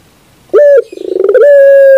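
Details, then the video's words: A Barbary dove (burung puter) on a bird-training recording gives a sudden loud coo, a brief burbling rattle, then a long, even, humming note held to the end. "Masteran terbaik Burung Puter 2021"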